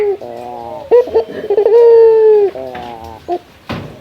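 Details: Male local puter, Barbary dove, calling to a rival: short stuttered coo notes, then one long steady drawn-out coo, followed by a soft trailing note and a faint click at the end.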